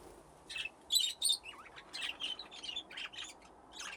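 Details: Budgerigars playing in an aviary with nesting boxes, a flock grown from two pairs; sharp chirps and short warbled notes in irregular bursts, some clusters louder, over a quiet background.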